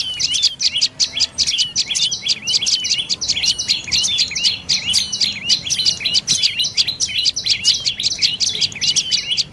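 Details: Dark-necked tailorbird of evergreen and open forest in Thailand, calling with a fast unbroken chatter of piercing high notes for nearly ten seconds, the rhythm barely pausing.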